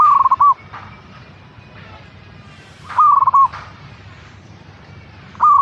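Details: Three rolling coo phrases from a local zebra dove (perkutut), roughly every two and a half to three seconds, each a fast stutter ending in a held note. Soft clicks and tapping sounds occur between phrases.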